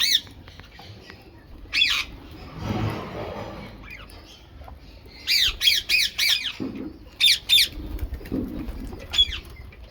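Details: Rose-ringed parakeet feeding on mixed food, giving harsh, high screeching squawks, single at first, then a rapid burst of five, followed by a pair and one final screech, over faint background noise.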